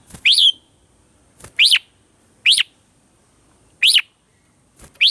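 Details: Red-whiskered bulbul singing its morning song in the mature wild-style voice, recorded as a lure for training caged birds: short bright whistled notes that slur up and then down, five phrases about every second and a quarter, quiet background.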